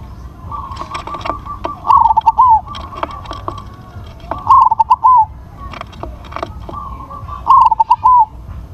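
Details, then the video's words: Crossbred zebra dove, noted for a big voice, repeating its cooing phrase three times about every three seconds. Each phrase is a quick string of clipped notes closing on a slurred, falling coo, with sharp clicks and taps between. "PERKUTUT CROSSING SUARA BESAR"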